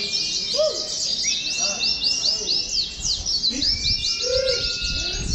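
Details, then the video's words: Oriental white-eye at a songbird competition ground, heard during contest-simulation training: dense rapid high twittering and chirping with thin sweeping whistles, many birds calling together, with low human voices beneath. "PLECI SILUMAN"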